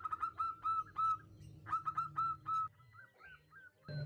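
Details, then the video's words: Female local zebra dove calling a male: a clipped series of whistled, hooked notes with low churring beneath, followed by different rising chirps and background murmur near the end. "Perkutut Betina memanggil jantan Suara MENGGODA"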